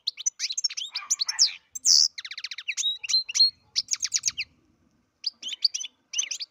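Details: Captive-bred European goldfinch in lively song, a rapid run of high, liquid twitters, buzzy trills and repeated clipped notes, pausing briefly before resuming with further bright, chattering phrases.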